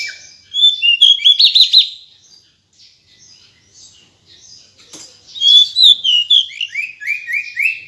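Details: Female decu bird calling: a rapid run of repeated high chirped notes, a quiet stretch with a click, then a series of descending whistled slurs repeated several times.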